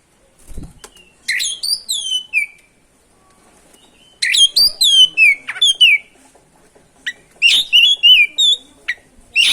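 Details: Oriental magpie-robin in continuous ngerol song meant to agitate other magpie-robins; a few faint clicks, then whistled descending phrases, a pause, and a long quick series of ringing, slurred notes.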